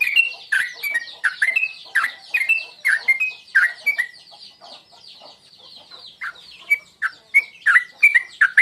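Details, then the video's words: Tuklik tuklik ngingklong lure call of the sooty-headed bulbul, used to provoke singing: bright dropping-then-rising chirped notes repeated about every half second, a quieter gap midway, then the phrases resume. "Masteran tuklik tuklik ngingklong burung Trucuk"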